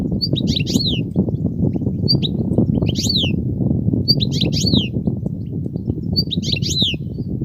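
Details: Wild European goldfinch with unbroken song: clusters of high twittering, falling notes repeat roughly every second and a half over a constant low rumbling background noise.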